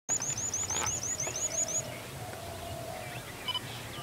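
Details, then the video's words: Jerdon's bush lark singing: a thin, very high trill of about ten quick wavy notes lasting under two seconds, followed by a faint lower drawn-out tone and one brief high note. "Jerdon's Bushlark Singing"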